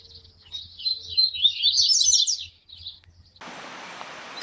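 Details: Rusty-collared seedeater warming up to sing: a high, rapid, jumbled warbling run of twittering notes lasting about two seconds, followed by a burst of broadband noise.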